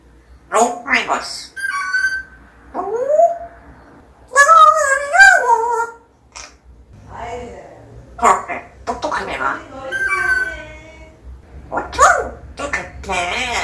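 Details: Pet parrot talking indoors, known for surprising its owners with phrases like "Long time no see"; bursts of high, tonal, speech-like syllables with wavering pitch, separated by short pauses, alongside human voices in a small room.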